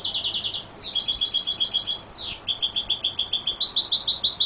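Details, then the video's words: A goldfinch hybrid sings a fast, bright twittering song of high tinkling notes, rapid trills and descending slurred sweeps, with no other sounds. "mixto de jilguero pegando"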